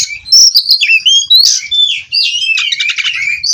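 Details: White-rumped shama (kacer), Cirebon-bred, delivering a rolling phrase: sharp whistled notes and slides, then a rapid buzzy, stuttering trill.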